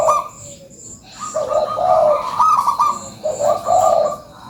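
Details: Energetic local zebra dove lure song: a sustained, trilling series of mellow coos in two long bursts, over faint, regular high-pitched chirps from other birds.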